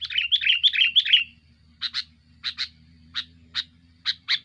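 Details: Aggressive sooty-headed bulbul song used to pressure rivals and lure birds: a rapid burst of warbling chirps for about a second, then short paired bright notes repeated roughly every half second.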